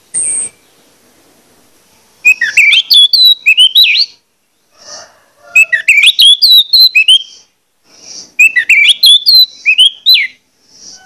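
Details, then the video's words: Orange-headed thrush used as a lure to stir other birds to sing; rich whistled phrases of quick slurred notes in three bursts about three seconds apart, separated by silence. "pancingan anis merah plong ngotot membangkitkan gairah anis merah lain untuk bunyi"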